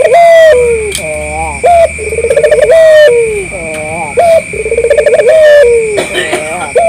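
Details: Collared dove, local type, in vigorous repeated cooing used to draw replies from other doves: brief high note, quavering rolled coo, long descending tail, about three phrases in seven seconds over a constant high-pitched hum.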